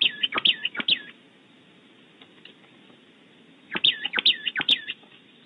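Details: Oak titmouse calling outside its nest cavity at Audubon Starr Ranch, California: two bursts of three or four sharp, high chip notes with downswept tails, separated by a few seconds of quiet.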